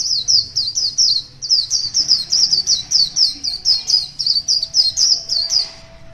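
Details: Morning song of a wild white-eye held one year, pure high twittering of quick, falling chirped notes strung together almost continuously, about five per second, with a faint low hum beneath.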